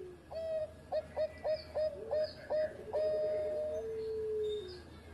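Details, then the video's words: Training song of a Bangkok-type zebra dove: seven evenly spaced short coos followed by a long held coo that gradually slides lower, with steady background hiss. "Raja Suara Mas Juara Idaman Perkutut Bangkok Gacor Buat Masteran"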